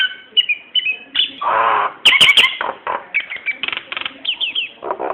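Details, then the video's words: Varied Nias hill myna song meant as a lure to draw other birds into song: short whistled phrases, a long rough raspy burst, piercing cracks, then chattering clicks and sliding whistles. "Suara kicau burung jalak nias cocok untuk pancingan"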